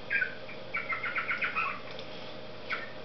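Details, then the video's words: Cockatiel song, softer here: a chirp, then a quick warbling phrase of rising and falling whistled notes, a pause, and one more short chirp near the end, over low room hum. "Попугай Корелла песенки поет Parrot Sings"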